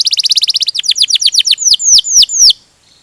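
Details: Domestic canary in ngerol gacor song: a quick buzzy trill gives way to a series of high downward-slurred whistles that slow and lengthen toward the end, then silence.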